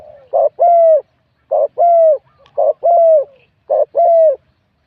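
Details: Competition spotted dove, a wild-caught bird rated 87 points, with a medium-to-large voice type. It gives four clean phrases, each a brief pulsed note then a longer level mellow coo, spaced a little over a second apart on a quiet background.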